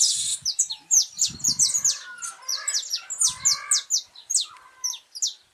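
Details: Wild saffron finch, a brown young bird, singing vigorously on a cold, rainy 8 November 2024 before nesting begins: dense, high, sharp notes in rapid succession, with a few lower warbled phrases and soft low thumps beneath.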